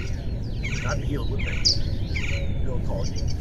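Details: Lucy's Warbler in March at Rio Vista, Tucson, southeast Arizona, singing high, quick chattering trills in short bursts about once a second over steady low rumble, with mourning doves and Gila woodpecker in the background.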